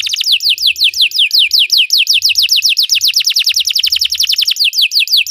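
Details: Belgian canary song for training: a lively rapid series of descending whistled notes, several per second, quickening into a tight trill.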